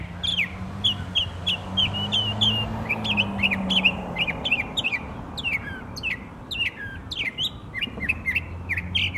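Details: Northern mockingbird in song at Savannah, Georgia, 12 October 2024, delivering rapid, varied chirped and slurred phrases about ninety a minute, each type repeated a few times; low mechanical hum and traffic-like rumble beneath.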